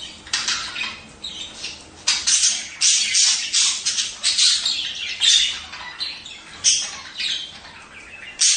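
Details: Budgerigar sounds meant to stimulate breeding: dense, harsh, raspy chatter in overlapping bursts, scratchy squawks and buzzy notes tumbling over each other without pause.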